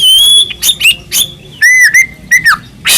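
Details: White-rumped shama of the Medan type in full song, used as a lure to provoke other shamas into singing: a long pure whistle with bright overtones, then short rising and falling whistled notes and harsh buzzy bursts.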